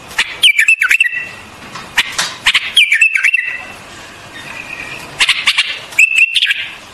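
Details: White-eared bulbul singing short liquid whistled phrases that dip and level off, broken by sharp clicks and brief pauses, with three or four phrase bursts and quiet gaps between them.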